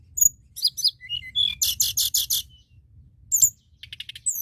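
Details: White-browed shortwing singing steadily to provoke other birds: thin high whistles and short slurred notes, then a run of five evenly spaced buzzy bursts, a pause, a sharp note and a fast chattering trill.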